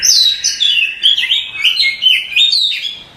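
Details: Oriental magpie-robin masteran tutoring song for cage birds: a continuous, fluid run of bright whistled notes that dip and rise, sung richly without pause.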